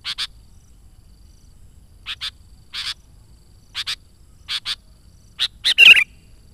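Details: Vigorous sooty-headed bulbul song used to attract wild bulbuls: paired short, clipped chirps repeated at intervals, ending in a louder harsh, chattering burst.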